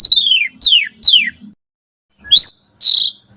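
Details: Morning song of an Asian pied starling used to tutor caged starlings: three loud sweeping whistles falling in pitch, a pause, then a rising slur and a harsh squawk.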